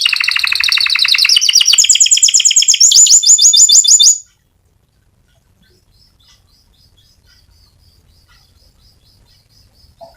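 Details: Fighter canary in rolling song, used as a master recording to teach other canaries, pours out fast stuttering high notes stepping upward into a tight rattling trill for about four seconds, followed by near silence with faint distant chirps.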